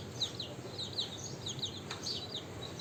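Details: Domestic chicks hungry at dawn while being offered feed, calling insistently: clear, piercing, downward-slurred peeps repeated several times a second from multiple birds, with a faint click and quiet background.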